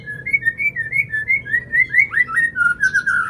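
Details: Oriental magpie-robin song as a lure for a silent bird: a steady string of sweet whistled notes, each gently rising or falling, repeated about every quarter second, ending in a higher buzzy flourish.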